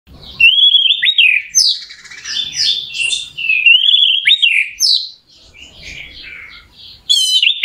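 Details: Orange-headed thrush song used as a lure to rouse a bird into singing: loud, varied whistled phrases with slurred rising and falling notes, some harsh buzzy elements and a high sharp trill near the end.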